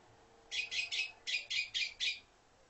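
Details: Red-billed quelea giving harsh, buzzy chattering notes, three in a rapid burst, a brief pause, then four more, over a quiet background hum.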